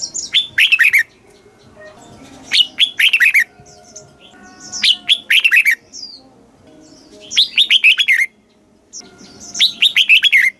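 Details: Thai caged red-whiskered bulbul in southern master-song style, played to make birds eager and to teach chicks; five repeated phrases, each a quick cascade of bubbly slurred whistles falling at the end, every two to three seconds.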